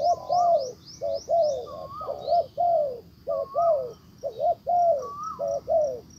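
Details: Decoy spotted dove cooing to draw a wild bird back, the wild dove ignoring it; steady run of low husky coos about once a second, a quick series of high rising chirps at the start, a few brief whistles.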